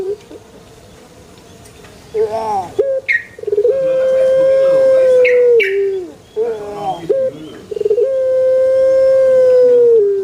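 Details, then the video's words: Pelung chicken crowing in a banana garden: two long, loud, steady mid-pitched crows, each held for about two seconds and dropping at the end, with shorter rough notes and a brief high call between them. "SUARA ASLI PUTER PELUNG"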